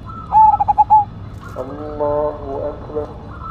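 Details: Perkutut of the Cemani Majapahit type, a zebra dove, in active song. It gives a short loud phrase of five quick pulsed coos. A layered sustained harmonic tone and faint background coos follow.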